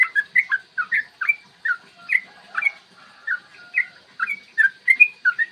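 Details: Yellow-vented bulbul singing long rolling phrases, meant to provoke other birds into song and fighting; a steady series of short, bright whistled notes, each swooping up or down, about three per second.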